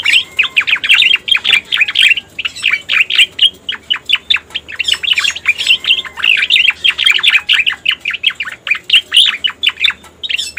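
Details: Striated grassbird, called cica koreng, on a lure recording used for bird catching: long sequence of crisp, rapid chirps and slurred notes, rhythmic pulses of sound repeating briskly with short silent gaps.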